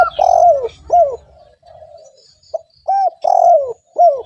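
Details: Spotted dove cooing as a lure for other doves: loud, rounded coos sliding downward, a soft drawn-out note, then a further burst of strong falling coos.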